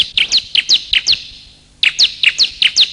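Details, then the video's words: Bar-winged prinia, male and female calls played as a lure: two quick runs of high, slightly rising chirps, six to seven notes each, separated by a brief gap. "pikat suara burung ciblek"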